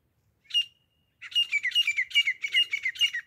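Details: Desi teeter, the Grey francolin, hunting sound: one harsh note, a brief silence, then a quick string of about nine grating squawks, fast and slightly uneven.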